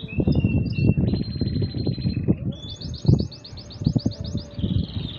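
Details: Two male canaries taking turns singing nonstop; a flat sustained trill gives way to a quicker pulsed rattle and a short high phrase, all over heavy low-pitched background rumble.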